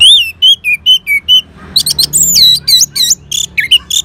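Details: Orange-headed thrush responding to a lure: six evenly spaced clear whistles, then a denser run of high, varied, looping whistled phrases.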